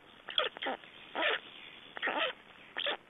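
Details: Black storks at a nest in Estonia on 3 June 2011, during nest exchange and feeding; five harsh, raspy, hissing bursts of uneven length follow one another at irregular intervals, with no other clear sounds.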